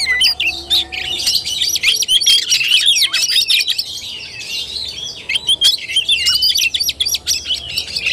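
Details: Oriental magpie-robin singing in fighting style, a dense fast stream of sharp whistled notes and chattering phrases, rising and falling quickly with short gaps and clicks.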